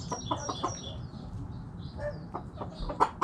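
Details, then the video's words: Backyard chickens, hens clucking: scattered short clucks and soft chattering notes over a busy background of mixed bird chirps. "Backyard Chickens Making Noise! Hens Clucking Roosters Crowing"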